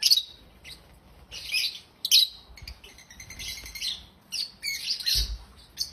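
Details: African lovebirds chirping in a happy mood: shrill, high-pitched squeaky chirps and chatter coming in short bursts, separated by brief quiet pauses, with some overlapping calls.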